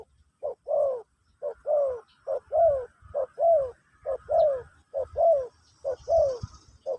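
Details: Spotted dove singing Pesom/Kacuk song to teach a new bird: regular paired coos, a short note followed by a longer falling one, repeated about once a second.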